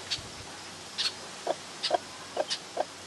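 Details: Hen and newborn chick, both domestic chickens: brief high chirps alternating with lower, softer notes, about two per second, over a quiet background hum.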